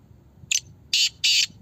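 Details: Black francolin calling in a voice contest: a brief harsh note, then two long, loud, grating rasps, broadband and buzzy, with faint low background noise.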